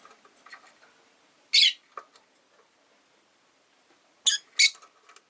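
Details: Caged rosy-faced lovebirds, five kept indoors by a window, an orange-faced bird jostling for a perch position beside a blue-and-white one; three sharp, high, harsh chirps over faint clicks and quiet room noise, with rain outside.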